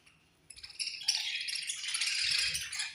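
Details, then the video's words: Feeding-time chirping from a budgerigar colony: nearly quiet at first, then a sudden swell into dense, high, rattling chatter of many birds that holds to the end. "Chirping Sounds In Budgies Colony"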